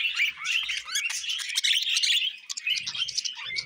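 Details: Budgie warbling: quick, squeaky chirps and rising whistled notes tumbling together at high pitch, loud and busy, with soft low knocks near the end.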